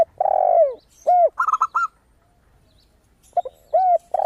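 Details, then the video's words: Zebra dove song with a clear, crystal tone: a burst of four or five fast, high staccato notes set between deeper, drawn-out arched coos of a spotted dove, then a pause. "PERKUTUT GACOR suara kristal - AMPUH UNTUK PANCINGAN"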